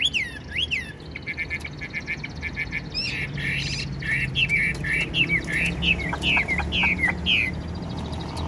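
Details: A tame, fan-tailed caged Chinese hwamei in full song. Quick slurred whistles lead into a rapid stutter of short notes, then a steady series of clear downslurred whistles repeated about twice a second.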